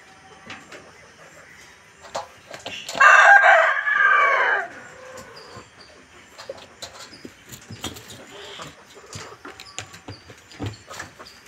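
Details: Rooster crowing once, a loud harmonic cry lasting about two seconds near the start, then faint background clatter and scattered clicks for the rest of the recording.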